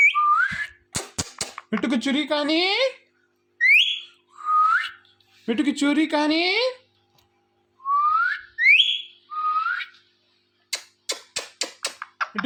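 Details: Ringneck parrot kept at home alternates sharp upward-swept whistles with harsh buzzy talking phrases, separated by brief silences, and closes with rapid clicking ticks.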